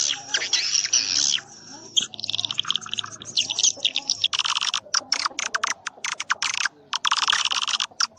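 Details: Swiftlet lure sound for attracting birds to swiftlet houses, with bright high-pitched chirping runs broken by short clicky pulses and brief gaps.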